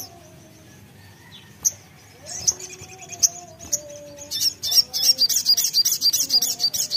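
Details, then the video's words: High, sharp sunbird notes rising into a rhythmic run of quick chips repeated several times per second over the last few seconds, used as a lure song for the ruby-cheeked sunbird, with constant background hiss and faint lower whistles. "pancingan sogok ontong (sogon) gacor"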